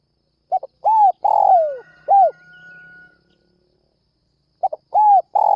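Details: Spotted dove calling in the early morning to lure other doves: a short double note, a rounded coo, a long coo sliding downward and a final arched coo, then a pause and the phrase starting again.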